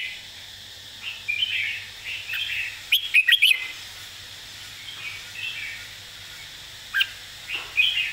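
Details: Red-whiskered bulbul model song, a simple pattern used for teaching birds: short warbled phrases around two to four thousand cycles, scattered through the clip with a louder burst near the middle and quiet gaps between, faint low hum underneath.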